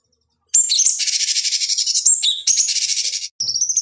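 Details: Cucak cungkok bulbul song used as a lure and master recording for training fighting birds: a high whistled note, then long rapid buzzy rattling trills with pulsing beats and a short final burst after a gap.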